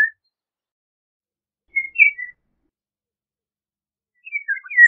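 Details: Eurasian golden oriole giving brief, spaced fluty whistles: a short note, then a quick rising-and-falling two-part phrase, and later a jumbled burst of liquid warbling.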